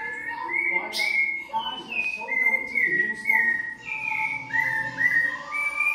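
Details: A Cocoa Thrush sings clear, fluty whistled phrases rendered as "vivi vovó viu", some rising and some falling, about one every two seconds, with faint voices and background noise underneath.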